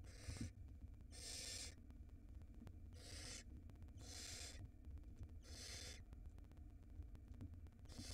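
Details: A barn owl nestling swallows a huge rat in an Israeli nest box watched by a live 4K camera. Long, harsh, snoring hisses repeat about every one and a half seconds over a low background rumble.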